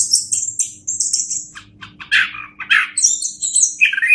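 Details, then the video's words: Orange-headed thrush song used as a master recording to teach other birds: varied rich phrases mixing high thin whistles with lower buzzy, slurred notes, delivered in quick bursts with brief pauses. "Masteran Anis Kembang"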